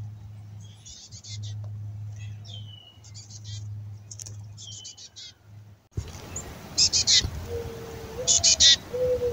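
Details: Adult female black-capped chickadee imitating fledgling begging before nesting, fed by a male; clusters of raspy buzzy notes, a fainter stretch then louder bursts, with a low steady hum and a sliding whistle-like tone.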